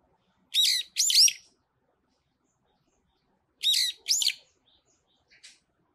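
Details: Brown-eared bulbul on a pine tree sings two pairs of loud, shrill, grating notes with bending pitch, about three seconds apart, followed by a few faint short chirps.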